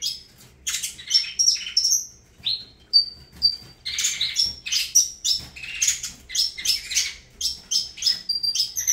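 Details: Saffron finch called Avalanche singing high thin whistles and rapid chirps, a few drawn-out notes midway, then a continuous busy run.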